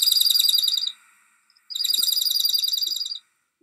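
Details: Dark-eyed junco giving two rapid trills of quick, evenly spaced, dry notes. The first ends after about a second and the second lasts about one and a half seconds after a short pause, with a faint tick between them.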